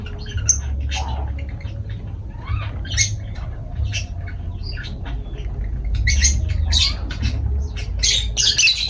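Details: Lovebirds, pet parrots, giving harsh broadband squawks and chattering calls in irregular bursts, with low steady hum throughout.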